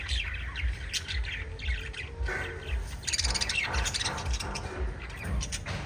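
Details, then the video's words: Five lovebirds in a parrot family group chirping together: dense, overlapping bursts of shrill, high twittering chirps and short squawks, busiest around the middle, over a steady low rumble of background hum. "Five Little Lovebirds Chirping Sounds"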